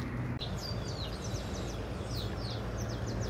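Double-collared Seedeater giving a quick run of high, thin, slurred notes, several per second, over a steady low rumble of background noise.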